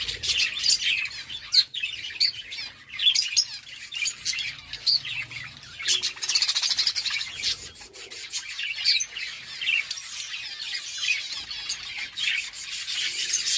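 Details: Pet budgerigars eating, keeping up a dense, busy chatter of high, scratchy chirps and twitters.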